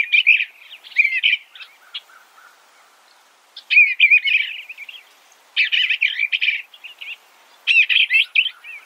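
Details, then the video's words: Eastern bluebird singing short, soft warbled phrases in four bursts separated by pauses of about one second, each burst a quick run of slurred notes; no other clear sounds. "Suara Burung Eastern Bluebird - Eastern Bluebird Bird Sound"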